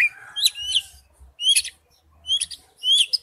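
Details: Oriental magpie-robin giving wild-type song; four separate bursts of bright rising whistles and chips about every second, with a faint low hum beneath.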